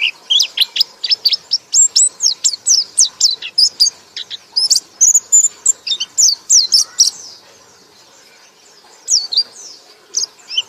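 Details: White-eye, apparently a cage bird kept for song training, in a loud rapid series of high, twittering chirps and down-slurred notes, densely repeated for about seven seconds, then a pause and a few scattered notes.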